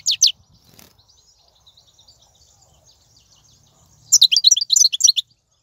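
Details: Goldfinch song recorded in the wild in 2019, meant to stimulate caged goldfinches: a brief high burst, a quiet stretch with faint distant twitters and low hum, then a fast, lively chattering run of tinkling notes.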